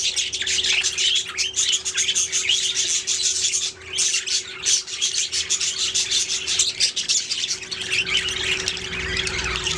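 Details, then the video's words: Budgerigars in steady chattering song, many high chirps and raspy warbled notes running together almost without break, a short lull partway, and a faint hum underneath. "Budgies singing making sounds chirping"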